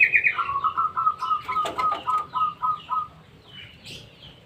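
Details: Sooty-headed bulbul in a small aviary: a quick run of about eight short, clear notes in a steady rhythm, the opening notes higher and hoarser, with a burst of wing flapping midway and faint chirps afterward.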